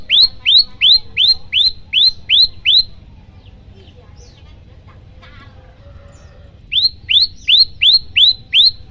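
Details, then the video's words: Loud 'tembakan' variation from a chatty prenjak lumut, a prinia: a run of seven bright rising chirps, a pause of about four seconds with faint softer notes, then six more chirps at the same steady pace. "prenjak lumut gacor suara tembakan keras"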